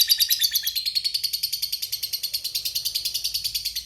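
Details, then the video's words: Long ngekek chatter from a lovebird fighter, played to coax quiet lovebirds into answering; a continuous, even rattle of quick high pulses, around eight each second, holding steady throughout. "Lovebird Diam Pasti Nyaut Ikut Bunyi Ngekek Suara Pancingan Burung Lovebird Fighter Ngekek Panjang"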